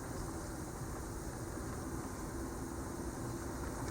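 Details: Steady broadband rushing noise with a low rumble runs throughout during a spring turkey hunt, and no animal calls.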